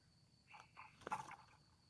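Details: A red junglefowl (Gallus gallus) gives a short, choppy crow of several hoarse, clipped notes in about a second, over a steady high whine.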